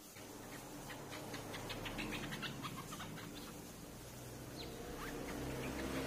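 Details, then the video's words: Lure recording of streak-eared bulbul: a fast run of clipped, ticking chirps for about two seconds, then a few single upslurred notes near the end, against steady background noise. "เสียงนกปรอดสวน เสียงต่อปรอดสวน"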